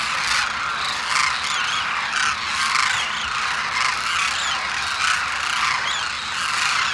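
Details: A large flock of demoiselle cranes congregating at Khichan, Rajasthan, calls at once: a dense, continuous chorus of harsh, rolling, croaking notes with no pause from start to finish.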